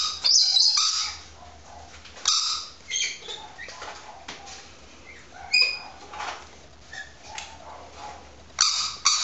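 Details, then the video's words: A female rainbow lorikeet calls from inside a small perspex box toy to amplify her voice, apparently imitating a neighbour's yappy dog: harsh, grating screeches in loud bursts every second or two with short whistled notes, boxy and echoing, repeated for hours. "Lorikeet that loves its own noise"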